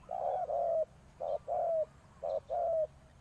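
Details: Spotted dove used to lure wild birds, cooing in mellow couplets: a brief hoot and a longer gliding-down note, repeated at an even pace.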